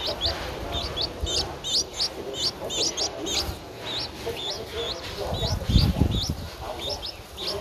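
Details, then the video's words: Begging nestling Streak-eared Bulbul, 11 days old, in Ubon Ratchathani, Thailand, on 13 April 2023, gives quick upslurred high squeaks in bursts, with a brief low thump midway and steady background hiss. "นกปรอดสวน อายุ 11 วัน : Streak-eared Bulbul (Pycnonotus blanfordi)"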